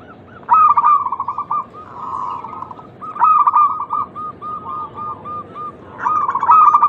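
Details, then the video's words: Local zebra dove cooing, played as a lure to stimulate other doves to call: three rolling, trilled coo phrases at a steady mid pitch, each lasting about a second and a half and spaced roughly three seconds apart, over faint background hiss. "pancingan terampuh untuk merangsang bunyi burung perkutut lokal"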